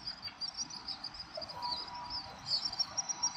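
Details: Evening flock of house swifts over downtown Tokyo in December 2023, gathering before roosting; quick high-pitched trills stream on continuously, growing busier toward the end, over low urban hum.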